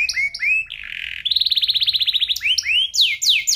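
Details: F1SF canary song used as a tutor recording for magpie-robins and young canaries: clean rising whistled notes, a buzzy burst, then a rapid rolling trill of about twenty notes and sweeping upslurred phrases.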